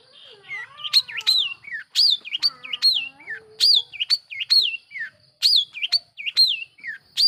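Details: Long-tailed shrike lure song used to provoke other shrikes into anger: loud, clear whistled notes sweeping up then down, several with long looping slides, repeated about once a second in an energetic, varied phrase.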